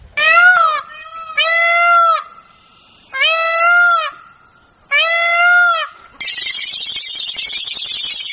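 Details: Four loud, drawn-out nasal wails from a peacock, spaced about every one and a half seconds, each slightly arched in pitch. A sudden burst of harsh, hissing broadband noise takes over near the end.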